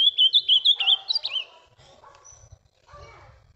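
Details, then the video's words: Ultramarine grosbeak (azulão) in captivity, pareia song type, recorded with its six-month-old son: a rapid string of sweet whistled, wavering notes for about a second and a half, followed by softer scattered sounds and quiet. "azulão/ veja o 💯 pareia e seu filho com 6 meses"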